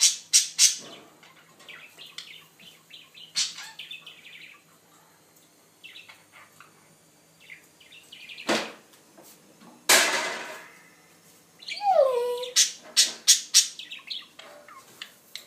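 A budgerigar chatters in quick, high, scratchy chirps, with a few whistled notes sliding downward.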